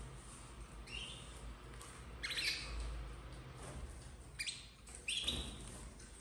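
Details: Domestic canary chicks, red snowy-coloured, bred in captivity in 2024; short harsh squawking bursts, rising and scratchy, given in a few separate groups with pauses between.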